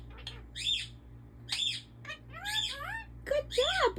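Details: A talking pet African ringneck parakeet indoors: bursts of raspy, speech-like syllables with bright high overtones, repeated roughly every second, mixed with sliding whistled inflections and a faint background hum.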